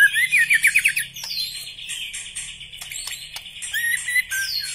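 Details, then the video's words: Distinctive song style of a black-legged white-rumped shama: it opens with a fast, loud, rising trill, then moves into softer mixed whistles and short sliding notes, ending with a bright flourish. "Ciri khas gaya dan Suara murai Batu kaki hitam istimewa"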